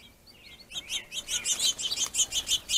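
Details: Finches competing at a plentiful food source, a faint twitter followed by a rapid, regular series of sharp, buzzy chattering notes.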